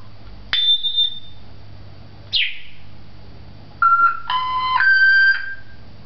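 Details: Talking African grey parrot kept at a Beit Hanina pet shop, Palestine: a held high whistle, a steep falling sweep, then rich layered whistled notes like a short tune, over quiet room hum.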